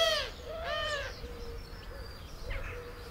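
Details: Eurasian collared dove giving two harsh, wheezy, nasal calls about half a second apart, likely its wheezy purring flight call, followed by fainter, softer notes against a quiet background.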